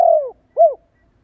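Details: Spotted dove call played to stimulate and train decoy birds: a long, low, falling coo, then after a short pause a brief arched coo note.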